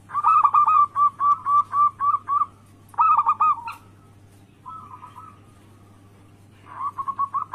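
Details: Zebra dove, local anggungan singer used to provoke rivals into calling: a string of loud rolling coos, a pause, a second short burst, then softer notes and a final rising run, over steady background hum.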